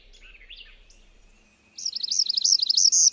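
Northern Parula song variant: a few thin, slurred notes, then a fast, high, buzzy trill of rapidly repeated zipping notes.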